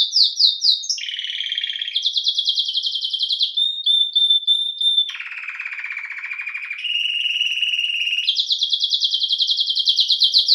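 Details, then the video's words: Domestic canary of the Belgian type singing varied tours: rapid high pulses, a lower rattle, thin pure whistles, a deep rolling churr, then fast high trills again, each section lasting one to two seconds. "CANÁRIO BELGA CANTANDO"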